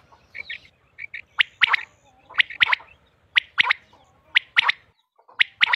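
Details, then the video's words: Female quail calling in a recording from Mianwali, Pakistan, played for quail hunting: sharp three-note bursts repeated about once a second, each a quick cluster of bright clicks and chirps, with short pauses between phrases. "batair ki awaz"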